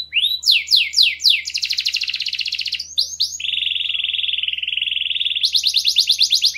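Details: Canary song played to motivate other birds to sing: swift downward-sweeping whistled notes give way to a long buzzy trill, more rapid sweeps, a steady rattling roll, then fast rising chips, all high-pitched and loud.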